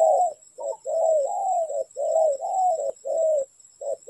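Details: Spotted dove recorded in a bird-trapping setting, giving low, hoarse cooing phrases of short and drawn-out notes in close succession, with a steady high electrical whine in the background.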